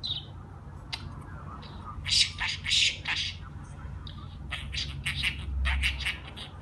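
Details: Pet budgerigar talking, apparently saying the word "Beşiktaş": short bursts of high, scratchy, speech-like chatter and squawks, interspersed with chirps over a low steady hum.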